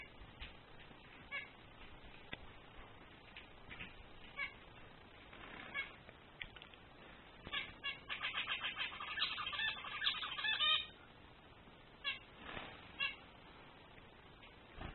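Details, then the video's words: Male zebra finch sings amid scattered short nasal calls; a fuller burst of rapid, buzzy, stacked syllables runs for about three seconds in the middle, followed by a few isolated notes. "Male Zebra finch singing"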